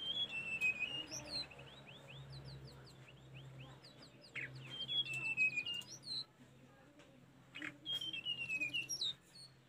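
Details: Tledekan gunung singing on a master recording used to train caged birds: repeated high downslurred whistles and quick chirp series, with a low steady hum and scattered noisy clicks behind.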